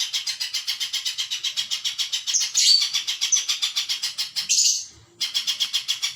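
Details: Spiderhunter delivering a long, rapid series of high, sharp repeated notes at a steady fast pace, briefly swelling into a harsher squeal near the middle, with a short break before the series resumes.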